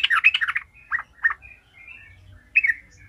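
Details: Sooty-headed bulbul (trucukan), lure recording to make other bulbuls sing: a brief rapid chatter of liquid notes, then scattered single chirps, a thin drawn-out whistle and one final bright burst.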